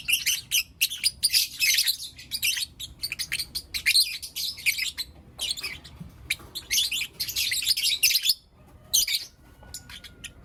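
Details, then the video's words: Blue Opaline and Lutino Opaline lovebirds chirping in the morning, a long stretch of busy, piercing, rasping chatter in tightly packed bursts, easing briefly near the end before a final outburst. "Lovebird Chirping Sounds and Call Sounds From Blue Opaline & Lutino Opaline"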